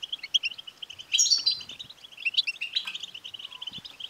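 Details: A European goldfinch pours out betbta chatter meant to set a male goldfinch singing: a steady stream of quick chirps broken by a louder burst of buzzy, ringing notes near the middle.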